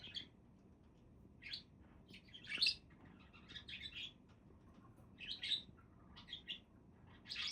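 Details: Budgies giving brief harsh chirps and warbled notes, spaced irregularly about every second or two over faint low hum.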